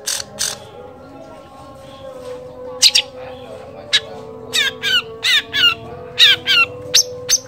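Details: Long-tailed shrike (pented) delivering imitations of kolibri, trucukan, lakbet and canary, used to train songbirds: two loud harsh notes, a pause, then a fast run of rattling, trilled chirps over a background hum.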